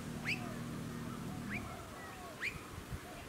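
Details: Blue-faced Honeyeater on the Sunshine Coast, Queensland, August 2020, with Noisy Miners nearby; three clear upslurred whistled notes, roughly one per second, against a low humming background.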